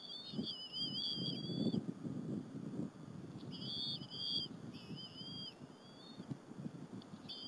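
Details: Afternoon feeding at a Berry College bald eagle nest on April 30, 2015: two eaglets share a squirrel with their mother on a live camera. Long high whistles alternate with slurred up-down notes over a low rumbling background.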